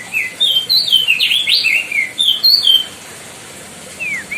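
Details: White-bellied bushchat (Decu Timor) in loud song used as a master for training other birds: a quick run of whistled, slurred notes sweeping up and down, a pause, then one falling whistle and a short rising note.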